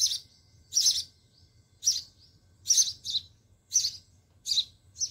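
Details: Chicks of a sparrow in a homemade nest house in a home garden calling as their mother feeds them: shrill, high chirps, some doubled, roughly one pair per second, over a soft low hum.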